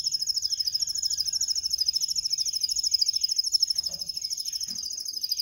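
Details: Canary delivering a continuous rapid metallic trill, even in pace and pitch from start to finish, in a recording for teaching canaries to sing.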